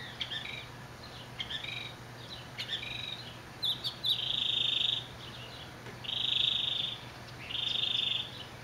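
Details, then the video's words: Northern mockingbird singing in Orange, California, on July 18, 2009, with a repertoire unlike eastern birds: short varied high chirps and trills, then long buzzy harsh notes repeated about every one and a half seconds; other small birds nearby. "Northern Mockingbird, Orange, California, July 18, 2009."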